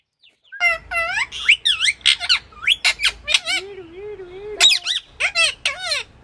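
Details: Talking rose-ringed parakeet producing clear Sindhi speech: strings of harmonic wavering syllables, one long low drawn-out tone in the middle, and loud shrill squawks before and after.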